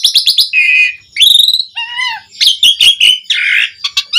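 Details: Javan pied starling song serving as a lure for other starlings: quick chirps, buzzy harsh notes, and a low, smooth whistle among higher sliding phrases.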